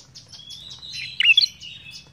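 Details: Actively singing ashy tailorbird gives a single brisk phrase of a few loud, piercing, twisting notes near the middle. Thin, rapid chirps from other birds and a low hum continue behind it.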